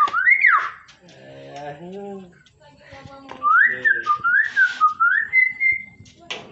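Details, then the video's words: Hill myna greeting: a high whistled note rising then falling, a lower voice-like harmonic phrase, then a run of wavering whistled notes that climb slightly and end on a held tone, with faint music and human speech behind. "Burung Beo Yang Menyapa"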